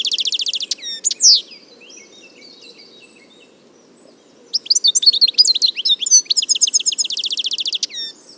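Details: Clear wild European goldfinch song: an opening burst of rapid buzzy trilled notes, a swooping whistle, a near-silent pause of three seconds, then long rushing twittering and trilled phrases repeating about four times a second.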